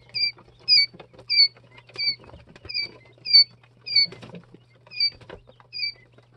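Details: Jumbo White Quail chicks two to three days old give clean, high, slightly falling peeps, each with a bright upper harmonic, repeated evenly about every half second over a faint low hum and light scuffling.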